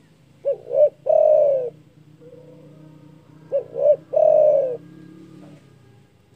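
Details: Spotted dove, a loud-voiced bird kept for its strong call that riles rivals, giving two full phrases: two short rising coos followed by a long, drawn-out falling coo, repeated about three seconds later over a low background hum.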